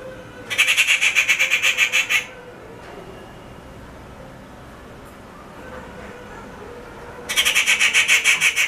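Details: A rufous treepie (Dendrocitta vagabunda), a regular backyard visitor, gives harsh, rapidly pulsed screeching calls in two long rattling volleys separated by a quiet pause.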